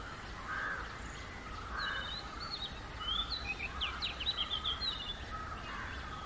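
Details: Oriental magpie-robin singing naturally: after a quieter start, a run of bright, varied whistled notes with quick upward and downward slides, set over soft, lower hazy background sounds and steady environmental noise.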